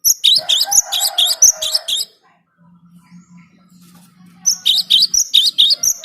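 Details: Cinereous tit used as a lure: a run of fast, shrill repeated notes with a lower murmuring sound beneath, a pause with a faint low hum, then another rapid burst.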